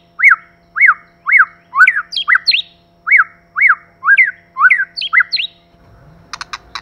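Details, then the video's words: White-rumped shama song, a male and a female singing birds: clear whistled notes sweeping up and down, repeated about twice per second, with higher looping phrases mixed in, ending in a few sharp clicks. "Choè lửa mái. Choè trống + mái kích lửa.choe lua mai.pancigan muraibatu . 长尾快乐鸟.singing birds."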